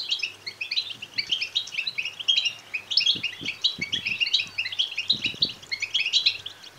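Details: Begging goldfinch chicks, used to excite male goldfinches into singing: a continuous chatter of high, quick chirps layered over one another, with a few soft low knocks and a faint hum.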